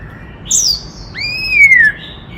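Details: Forest white-cheeked laughingthrush giving 'kích trống' song to rouse male birds: a high thin descending whistle, a pause, then a long clear whistle that rises sharply and slides slowly downward.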